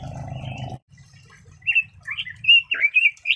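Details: Red-billed leiothrix: after a low hum and quiet pause, a short lively phrase of clear, slurred whistles builds up and grows louder toward the end.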